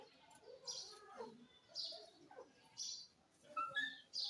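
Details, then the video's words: Talking parrot: short rasping high chirps in bursts roughly every second, mixed with lower warbled speech-like notes and a couple of whistled tones near the end. "Amazing Talking parrot funny sounds,parrot bird calling"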